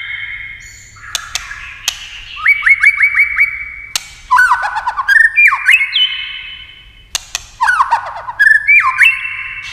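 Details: White-rumped shama in competitive many-voiced song, phrases separated by sharp clicks: quick stuttered whistles repeated five times, trilling slurs and bright rising notes, with pauses of about two seconds between bursts.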